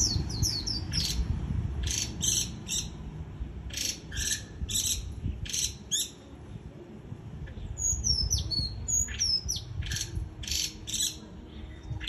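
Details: Japanese white-eye performing líu choè song: long run of quick, high twittering notes and thin descending whistles, clustered in dense bursts with short gaps, low rumbling background noise throughout.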